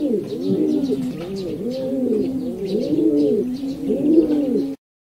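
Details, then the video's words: Low, rolling pigeon coos repeat in arched pulses roughly every second, a soft burbling chorus with faint high chirps overhead, cutting off abruptly near the end. "Pigeon Sounds"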